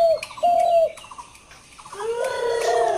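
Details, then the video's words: Dove calling with drawn-out, level, tonal coos, two clear notes early then a softer, rising coo near the end, accompanied by short repeated higher chirps from another bird. "ঘুঘু পাখির অসাধারণ ডাক"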